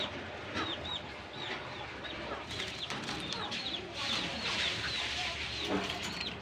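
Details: A pair of pet Pakistan ringneck parakeets interacting, talking and dancing with each other: repeated short arched chirps, several a second, over a steady hiss and rumbling background noise, with louder overlapping chirping toward the end.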